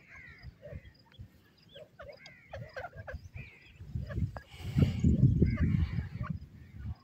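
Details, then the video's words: White francolin (teetar), male and female voices: a series of clipped, slurred, whistled call notes repeated quickly, with a low rumbling background noise that grows louder toward the end. "white francoline bird sound,teetar male and female voice"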